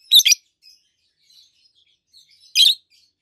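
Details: Adult peach-faced lovebirds, a green red-faced bird and a green yellowish-white-faced bird, chirp: a shrill doubled chirp, faint soft chattering, then another rasping chirp.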